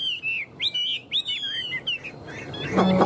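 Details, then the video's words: Tame caged Chinese hwamei holding tight to its perch and showing off wings and tail, singing loud clear whistled phrases that swoop and bend, each about half a second, before a noisy ending with a faint tonal hum. "Họa mi thuần ôm cóng - Chơi cánh đuôi cực đỉnh"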